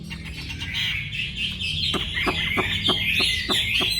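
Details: Bird called wambi singing a continuous high, twittering warble of rapid chattering notes, with low sharp knocking clicks repeating about three times a second beneath it.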